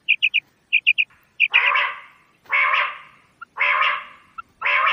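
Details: Quail giving quick high three-note calls in short bursts, alternating with long, loud, harsh rasping notes repeated about once a second.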